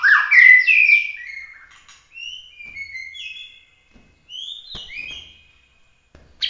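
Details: Bahorok white-rumped shama in emotional 'tembakan' competition song: an opening burst of fast falling whistles, then spaced, varied whistled and chirping notes with brief silences between.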